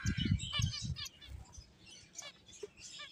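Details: Finches playing, with a cluster of short high chirps and twitters at the start and a few sparser tweets later, accompanied by low thumping bursts early on.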